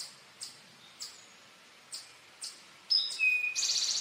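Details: Male Eastern towhee singing its "drink your tea" song: after a run of soft, evenly spaced high chips, two clear whistled notes, the second lower, lead into a fast buzzy trill at the end.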